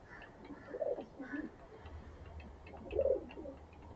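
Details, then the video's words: Pigeons fed grain in the morning utter soft, low coos in short clusters, one pair near the start and another a second and a half later, over a quiet murmuring background. "अलग-अलग प्रकार की ध्वनि सुनने को मिल रही है। कभी धीमी गुटुगू तो कभी सावधानी की आवाज तो कभी मातृत्व की आवाज"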